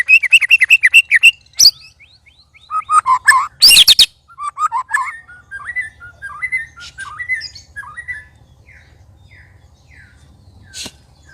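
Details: White-rumped shama sparring among three birds: a rapid stuttering series of notes, a harsh loud squawking burst, then softer scattered warbled and chirped notes fading out.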